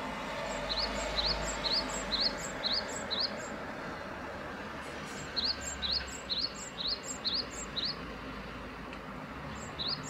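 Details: {'caption': 'Great tit with two strophes of regular double notes, each an upward whistle capped by a thin high note, separated by a short pause, with low ambient hum.'}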